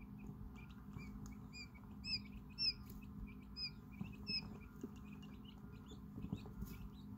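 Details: Quail chicks about 5 hours old, exploring a brooder, give thin, high peeps in quick bursts, several overlapping, one chick especially vocal, over a steady low mechanical hum.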